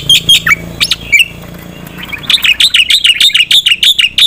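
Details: Black-winged myna singing loud, rapid training song for competition birds: scattered sharp chirps give way to a fast, continuous series of ringing high notes.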